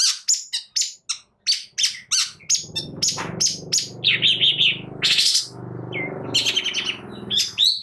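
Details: Long-tailed shrike song played to provoke other birds into singing: rapid harsh chattering and scratchy notes in quick bursts, with a buzzy trilled phrase mid-way and a loud rasping burst, over a faint low hum.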